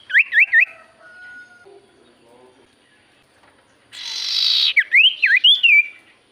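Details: Javan white-eye song used as a lure for other birds: a quick wavering whistled phrase, a thin steady tone, quiet pause, then a harsh buzzy burst followed by looping up-and-down whistles.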